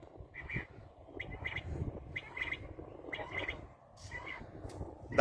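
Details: Black francolin calling with grating, paired notes spaced about one second apart, steady background hiss and low rumble throughout.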